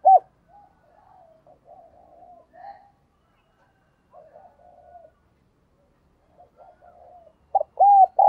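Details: Decoy spotted dove calling to draw in wild birds: mostly quiet, rambling low cooing, then a loud phrase of arching hoots at the end.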